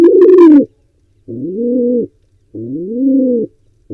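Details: Nesting wild pigeon trying to breed in an Israeli barn owl and pigeon box; deep cooing notes, each arching up then fading, repeated about every 1.2 seconds, first one overlaid by a scratchy higher sound.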